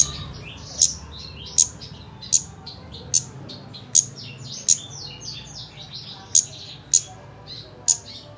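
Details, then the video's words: Kemade bird song used as a lure to prompt a kept songbird to sing quickly: sharp, high chirps spaced about a second apart over continuous, softer, rapid twittering. "Pancingan kemade bahan agar cepat bunyi"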